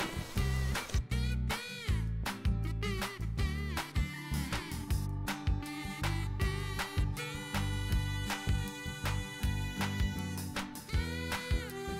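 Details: Upbeat band music with strong bass, horns and rhythmic beats plays throughout, with no animal sounds heard.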